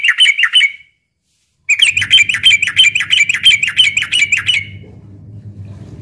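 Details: ['Yellow-vented bulbul fighting song for luring and provoking young birds at midday: a fast, even chatter of sharp repeated notes, a short pause, then a longer run over a low background hum.']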